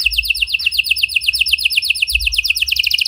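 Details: Lively canary song used as a lure to prompt silent canaries into singing, a unique singing style: a rapid, high, unbroken trill of evenly repeated notes lasting the whole stretch, with faint low background rumble.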